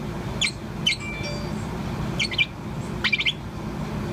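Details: Four-month-old Bourke's parrot chirping on and on: short, high twittered bursts and single sharp notes scattered over a few seconds, with a constant low rumbling background.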